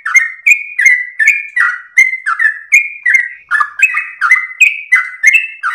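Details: Song of a sooty-headed bulbul used as a provoking recording: lively whistled phrases with clicky onsets, alternating higher and lower notes in a fast, nearly seamless run.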